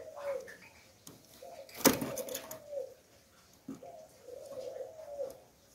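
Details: Spotted dove decoy bird, cooing in the Hạp Bổi voice style used to lure wild doves; low hollow coo phrases repeat roughly every two seconds, with a sharp click near the middle and faint room noise.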